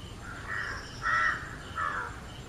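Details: A pair of Indian grey hornbills calling: three broad, harsh, squealing notes, each about half a second long, spaced roughly every 0.8 seconds. Faint background hiss.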